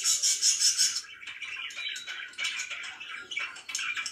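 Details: Pet budgerigars in the morning open with a loud, rapid series of buzzy, high pulsed notes for about a second, then shift into softer warbling chatter and chirps.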